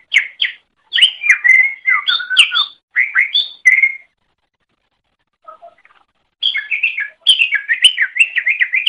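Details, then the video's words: Greater green leafbird master song for teaching other birds: lively runs of varied whistles and chirps, a long silent pause with a few faint notes, then another busy tumbling phrase. "Masteran Suara Cucak Ijo"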